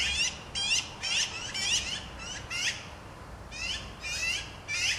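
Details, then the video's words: Black-billed Magpies calling out: a rapid run of coarse, grating 'chak' notes, roughly two per second, loud and rasping, with brief pauses between groups and faint low rumble underneath. "Black-billed Magpies Calling Out"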